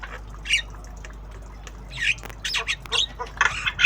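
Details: Javan myna kept as a tame bird, practising sounds: after a quiet gap come rough squawks and short bursts, quickening toward the end into a rapid run of harsh notes.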